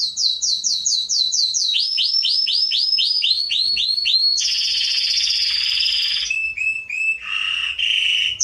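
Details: Training song for young canaries: a run of quick rising slurs, a lower series of repeated whistles, a long buzzing trill, then short whistles and a dipping note.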